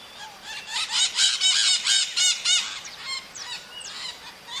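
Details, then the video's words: Maritaca parrot, a small but powerful singer: a rapid series of grating, raspy squawks about four per second, tailing into softer scattered calls. "BURUNG MARITACA CATANDO"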